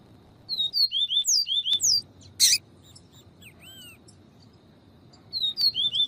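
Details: Double-collared seedeater, viviti song style, with female calls played to stimulate singing: a quick run of high slurred whistled notes, a loud harsh chip, a soft rising note, then the phrase begins again.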